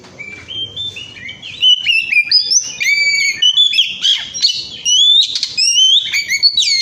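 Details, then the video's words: Oriental magpie-robin song used to coax other birds into song: a long, strong stream of varied whistles, downslurs and scratchy trills, building in volume and pace throughout. "kacer gacor ngemplong"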